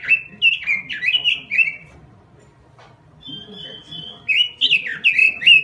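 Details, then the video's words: Robin singing a lure and tutor song: a few jerky warbled phrases, a quiet pause, a long flat high whistle, then a burst of fast, swooping notes. "Suara Pikat Burung Robin Full Gacor . Masteran Burung Robin"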